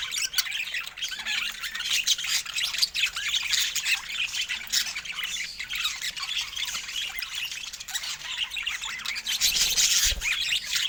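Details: Pet budgerigars of varied colour mutations squawk and chirp in a rapid, irregular flock chatter lasting throughout, with a short low knock near the end.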